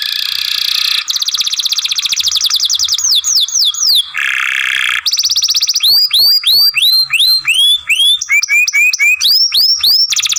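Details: Young canary, a song-training (masteran) recording, singing long phrases: a buzzy rolling trill, a run of quick falling whistles, another harsh buzz, then rapid repeated upswept and downswept whistled notes at a brisk pace.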